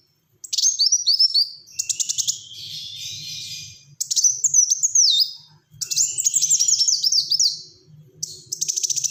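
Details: Black-throated sunbird singing in the dense, rapid 'tembakan rapat' style: high, thin chattering trills and whistled descending notes in quick bursts separated by short pauses, with a faint low rumble underneath.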